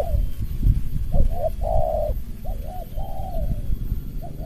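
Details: Spotted dove competing with a lure bird, in a close-packed cooing style: short double coos alternating with longer flat coos, partly masked by loud low rumbling noise.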